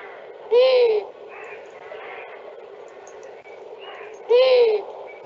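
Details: Long-eared Owl in France: a discreet male song, then calls of young, heard as two short, squeaky, arched calls with a rasping edge, nearly four seconds apart, over steady hiss.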